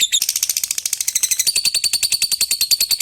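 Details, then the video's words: Lovebird giving a long ngekek, calling to a rival: a dense, shrill chattering trill of rapid high ticks, about fifteen pulses a second, steady throughout, with no other sounds. "Suara Burung Lovebird Ngetik Panjang Memanggil Lawan Lanjut Ngekek Panjang"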